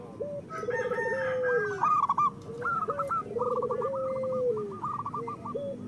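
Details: Several local zebra doves cooing together, played to coax reluctant birds into song. Low purring trills end in long sustained notes, with quick clipped higher coos repeating throughout and overlapping one another.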